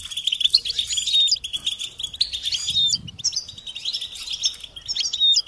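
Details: Goldfinch song meant to stimulate and train songbirds: continuous high twittering with sliding whistled notes and buzzy trills, faint low rumble underneath.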